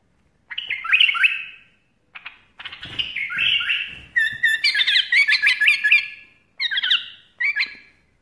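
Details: Bulbul in playful moments; separate bursts of chattering, scratchy chirps and rapid warbled notes, each lasting about a second, broken by brief silent pauses.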